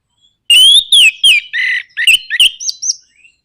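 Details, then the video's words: Provocation song of an orange-headed thrush in the nraktak konslet style, used to set other birds singing. Loud rising and falling whistles, then a harsh buzzy note. The song ends in rapid choppy chirps and fading high whistles. "PANCINGAN NRAKTAK KONSLET ANIS MERAH BIKIN GACOR ATASI SUSAH BUNYI"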